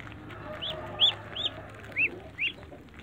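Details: Five clear arched peeps in three seconds from Muscovy ducklings jumping to eat eggs in a backyard, each a quick up-and-down whistle over a soft low hum.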